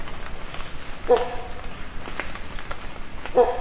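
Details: Great pied hornbill at Valparai giving two short, harsh, barking calls about two seconds apart, over low rumbling background noise and faint rustling steps.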